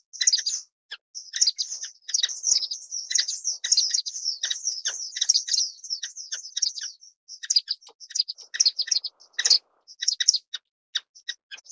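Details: Orange-cheeked waxbill giving long runs of high, tinkling chirps, steady at first, then broken into quick separate notes.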